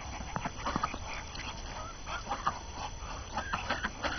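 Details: On the morning of the year's first snow, January 6, hungry ducks tired of confinement keep up a chatter of short, rapid nasal calls repeated irregularly throughout, with a steady low hum beneath.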